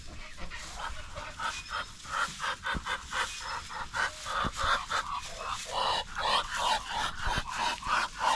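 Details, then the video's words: A Muscovy duck gives rapid, breathy, hissing puffs, about three a second, rough and panting-like, with faint background noise. "Terrible sound of Muscovy Duck"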